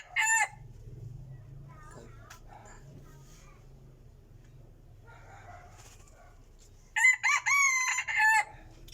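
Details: Burmese-line decoy rooster, kept as a strong crower, lets out a short loud call at the start, then after a long quiet gap with faint low hum, a full crow of clipped opening notes and a drawn-out final note.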